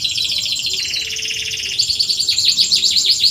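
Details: Canary (kenari) song used as a lure to coax reluctant canaries into singing: dense, high rapid trills and buzzy rolling phrases shifting pitch, ending in a series of quick repeated downslurred whistles.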